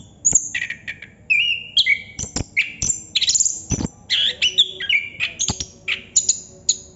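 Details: Long, non-stop 'ngerol' song of a Chestnut-capped thrush: a steady flow of varied whistled phrases, some rising and some falling, broken by crisp clicks.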